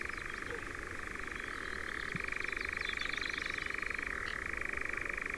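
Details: European nightjars in Ringwood Forest near Verwood, Dorset: a continuous, dry, rapidly pulsing churr that holds steady, then steps to a slightly different pitch midway and carries on unbroken, with faint higher chirps in the background.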